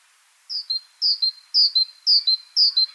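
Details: Great Tit song example after a short silence: five evenly spaced two-note phrases, a high falling note then a lower one, repeated about twice a second, rendered as 'chapim, chapim'.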